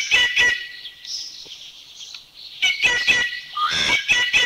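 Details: Rufous Treepie recorded in a Thai national park (Khao Yai, Doi Inthanon, Doi Suthep-Pui or Chae Son), giving harsh, metallic chattering notes in loud bursts, with a pause in the middle and a thinner, squeakier phrase between.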